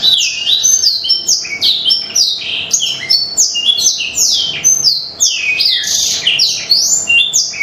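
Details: Energetic black-throated canary song, played to prompt birds into singing: fast, unbroken run of high, slurred descending whistles and trills, repeated several times per second.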